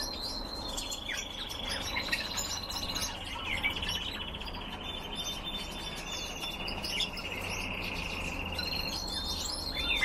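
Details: Caged red crossbills produce long rapid trilled chatter with level buzzy stretches and scattered sharp chirps, against a constant low background hum.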